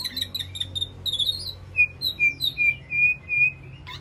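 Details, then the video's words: Caged White-rumped shama communicating with its flock in an aviary: high thin whistles at first, then a string of level, pure whistled notes repeated about twice a second. "Sound of White-rumped Shama Call to Flock"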